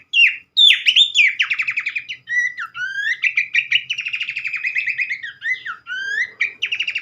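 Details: Loud, clean song of Abbott's babbler, meant to coax others into singing: descending slurs, long buzzy trills and bright upward whistles strung together nonstop.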